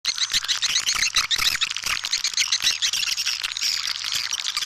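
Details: Swiftlet calls used to attract swiftlets: a dense continuous stream of rapid high chirping and twittering notes, several birds at once, with a faint low steady hum underneath.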